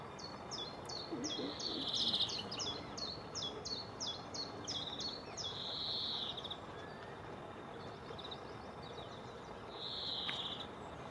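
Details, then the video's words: A male European greenfinch gives its twittering song, one of its two songs: fast rows of high chirps and trills, broken by a drawn-out nasal wheeze, over a steady background hiss. "Greenfinch: the other song"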